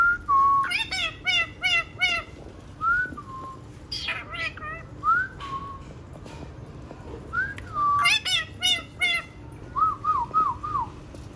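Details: Pet green parrot vocalizing: bursts of rapid, chirpy, buzzy notes alternating with short clear whistles that rise and then fall, delivered in quick clusters over about eleven seconds against a steady low hum.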